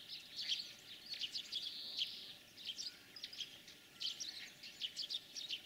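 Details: In spring a European greenfinch delivers a lively run of high twittering notes and short rattling trills, bursts coming in quick succession throughout.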